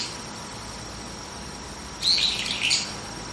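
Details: Brown-eared bulbul calling early in the morning from a tree branch: two short, shrill, high squeaky notes close together, over a steady high hiss.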